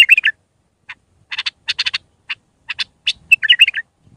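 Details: Raw Mandalawi-style Iraqi bulbul song used to teach bulbul chicks. Bright warbled phrases open and close a run of short, clustered chirps, separated by brief silences.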